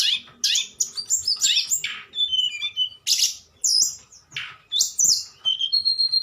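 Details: Fluting nyuling song of a tledekan: bursts of high, buzzy, sweeping notes and short pure whistles delivered in quick succession, with faint clicks in the background.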